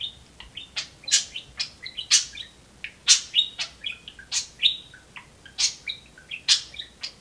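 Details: Caged pet talking budgerigar, one of two birds playing on perches indoors, delivers a dense run of sharp high chirps and rapid warbling notes, roughly one burst every second, with no other clear sounds.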